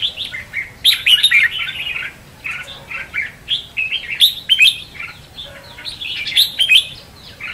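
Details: Red-whiskered bulbul contest song serving as a trapping decoy; repeated loud clusters of sharp, bright notes every two to three seconds, linked by quieter rapid warbling.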